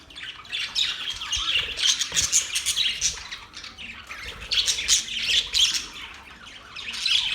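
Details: Budgerigars chirping happily: a dense, continuous stream of overlapping high chirps and harsh squawks. Loud bursts swell around two, five and seven seconds, with no other clear sounds.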